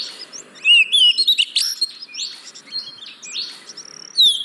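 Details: Oriental magpie-robin song used as a lure to prompt reluctant caged birds to sing: scattered high whistled notes and sharp chirps, some rising and falling, with quieter gaps between bursts.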